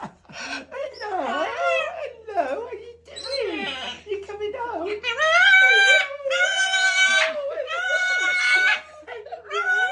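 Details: A green-winged macaw, a male pet, gives loud, excited squawks and drawn-out, wavering calls on being picked up from a parrot hotel after his owners' holiday, mixed with a person's cheerful hellos and laughter.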